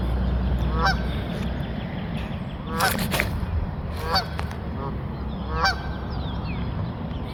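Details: Geese honking and taking flight, with harsh, nasal honks at irregular intervals over steady low rumbling background noise and a few sharp clicks.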